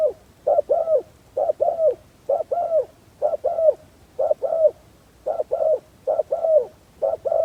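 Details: Spotted dove as a decoy bird for attracting wild doves, calling with paired soft coos, a clipped first note and a longer downward-curving second, about one pair per second over a quiet background.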